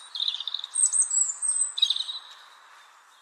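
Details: European robin, a common Irish bird singing throughout the year: a high, scratchy phrase of quick trilled notes with a thin sustained whistle above, then a second shorter burst before fading out, over a low steady hum.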